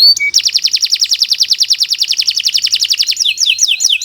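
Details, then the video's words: Canary song from the Indonesian bird Kenari Nusantara 173, offered as a master recording for training birds: a long, very rapid high rattling trill of evenly repeated notes, ending with a few looping downslurred whistles. "Kicau Burung Kenari 173 II LUAR BIASA GACOR PANJANG"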